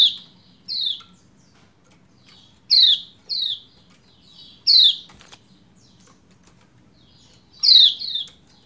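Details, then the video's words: Lombok white-eye female luring a quiet male into song; crisp descending high chirps, often in pairs, appearing in bursts with longer gaps between, a faint click near the middle and low hum beneath. "Ciak Ciak Pleci Lombok Betina Memanggil Jantan Supaya Cepat Gacor"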